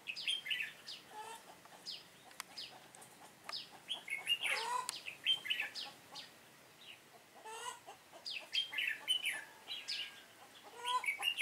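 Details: Red-whiskered bulbul decoy singing during trapping on 7 September 2018. A busy run of lively chirped and whistled phrases, some notes sweeping upward, with short pauses between bursts and several overlapping voices.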